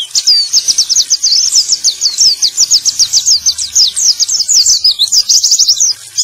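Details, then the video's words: Male white-eye song intended to stimulate other white-eyes to sing, a long, fast, unbroken string of sharp high twittering notes, ending in a slightly lower rolling flourish. "Terapi Pleci Macet Bunyi || Pancingan Burung Pleci Jantan!!"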